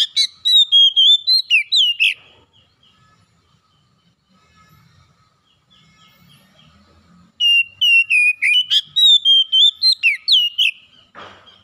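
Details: Whistled song of an oriental magpie-robin, used to coax a bird reluctant to sing: quick sliding whistles, a pause with faint low background sounds, then a second lively phrase of sharp notes and a closing hiss.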